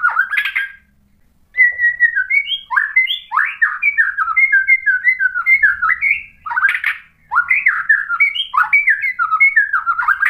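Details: White-rumped shama song used to provoke another bird into singing: a rich stream of loud whistled notes, slurred up and down, with harsh buzzy bursts, a brief pause near the start, clear and without other sounds.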